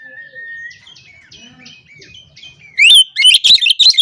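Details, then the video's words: Oriental magpie-robin in ngobra style, a song said to provoke rival males. Soft, rambling warbled notes give way abruptly to a loud burst of quick, ringing chirps. "KACER GACOR NGOBRA, Kacer Lain Pasti Langsung Emosi Buka Ekor Kalau Dengar Suara Ini"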